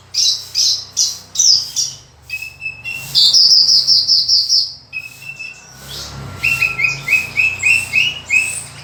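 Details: Horsfield's bush lark, known as branjangan, in lively full isian song: chirped bursts, a sustained high buzzy trill, then a run of short upslurred whistles repeated quickly, over a faint low hum.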